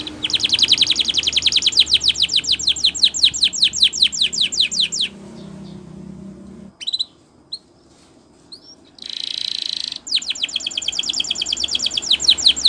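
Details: Gloster canary song for training: fast rows of rapid, rising-and-falling whistled notes in rolling tours, then a short low hum with a few isolated chirps, and a steady high note before the quick repeated phrases return.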